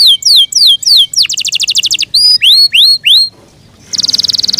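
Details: Yorkshire canary singing: repeated falling whistles, a quick trill, rising slurred notes and, after a short pause, a high fast trill.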